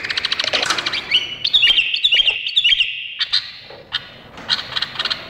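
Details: Bulbul of the Indonesian kind: a quick chattered start, then several clear whistled notes with sharp upward flicks on a steady pitch, followed by scattered chirps.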